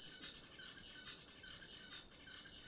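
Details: Zebra finch (Taeniopygia guttata) song, used as a lab model for learned behaviour: high, buzzy, nasal syllables of about 100–200 ms, separated by brief breaths, repeated in a fixed motif of three to seven syllables lasting about one second.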